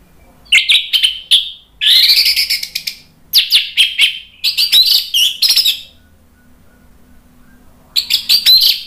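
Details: Orange-headed thrush singing as a provoking lure for birds that have stopped singing: loud, buzzy, scratchy phrases mixed with whistled notes in several bursts, a two-second silence, then a final energetic outburst; low hum faintly underneath.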